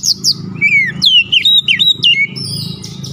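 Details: Oriental magpie-robin persistently singing through its learned repertoire: a rapid run of clear whistled notes, sharp high chips, then sweeping slurs falling and rising across a wide range, with a steady low hum underneath.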